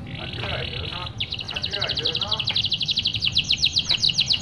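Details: Canary, a vigorous, frequent singer used to prompt lazy canaries to sing: a steady, high, buzzy trill gives way to a fast run of bright repeated chips, about four a second, over a faint low murmur.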